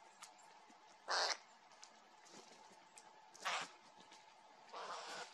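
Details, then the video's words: Eurasian jays feeding on peanuts, with a dominant jay chasing others away when bread appears; harsh, broad, rasping screeches in short bursts, three within about five seconds, over a steady low hum. "Сойки и арахис"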